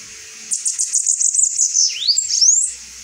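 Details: Saffron finch song: a rapid string of high, sharp repeated notes, then a dipping and rising whistled sweep and a final bright slurred phrase, lasting about two seconds.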